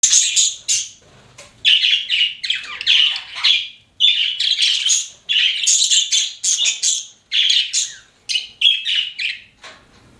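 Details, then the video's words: Pet budgerigars chirping indoors: bursts of bright, harsh chattering and squeaky notes, high-pitched and broken by short pauses, continuing through the recording. "CUTE PET BUDGIES CHIRPING"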